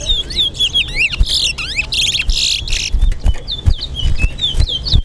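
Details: A chestnut-bellied seed-finch (towa towa) sings in a Guyana bird-singing competition, giving a fast, sweet warble of slurred whistles and rising and falling notes, over low thumps and background murmur.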